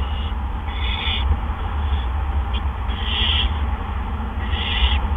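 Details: Barn owls at a nest in the evening of April 17, 2013, during gopher deliveries; several soft raspy hisses, the loudest near the middle, with steady low humming in the background.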